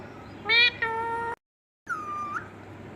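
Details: Indian ringneck parakeet talking: two short harmonic, voice-like nasal syllables, then after a pause a drawn-out level whistle that lifts sharply at its end.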